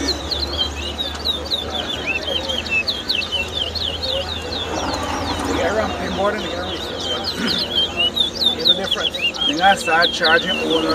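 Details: Towa towa birds in a singing competition at Lusignan, Guyana, 2022: rapid whistled, looping warbled phrases high in pitch run on continuously over a crowd's murmur, voices and applause.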